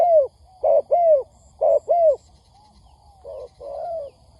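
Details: Spotted dove on a lure recording for catching wild doves: a few low falling coos in pairs, then softer, flatter muffled coos near the end, with a brief high triple peep.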